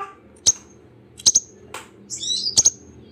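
A sunbird gives sharp, high, thin chips, single or in quick pairs, then a brief twittering run, over a faint low hum.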